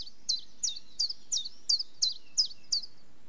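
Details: Eight evenly spaced, high, slightly downward notes from a common chiffchaff, a little slower than three per second, over quiet low hum.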